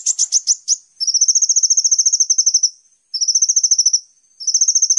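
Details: Sunbird singing on a master recording used to train songbirds: a few high sharp chips, then long very high, rapid, evenly spaced trills lasting about two seconds, repeated after short pauses. No background noise.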